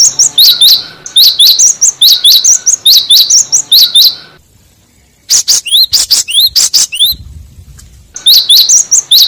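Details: Cinereous tit lure song for provoking other birds: long runs of fast, shrill, upswept chirps repeated at about two per second, broken by a quiet pause and a few clicking, rising notes.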